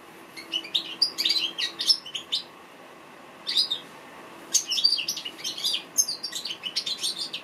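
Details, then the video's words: An African goldfinch sings rapid, high, tinkling twitters in three bursts separated by short pauses, with only a faint steady hum in the background. "African goldfinch bird singing"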